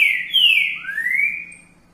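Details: Green-winged saltator (trinca-ferro) singing the "boi repicado" song: loud, clear whistles, two falling slurred notes then a long rising whistle within two seconds, nothing else audible.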